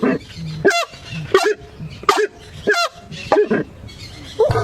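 A Horned Screamer gives loud, harsh, honking calls, about one every 0.7 seconds, each rising then dropping; a man's voice briefly announces it.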